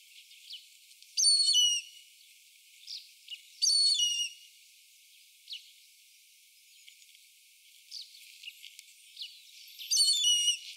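Indian grey hornbill giving three loud, squealing, high-pitched calls several seconds apart, with fainter, thinner notes between them.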